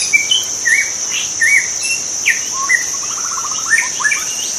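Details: White-rumped shama song from the wild, mixing clear whistles, sweeping slurs and a fast rattling trill, with an unbroken high insect hum behind.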